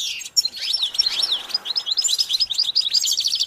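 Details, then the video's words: Goldfinch singing in a short, lively burst: up-and-down slurred notes give way to quick repeated twittering chirps, all high and bright. "Developing the Goldfinch’s Talent- How do you Motivate it to Sing"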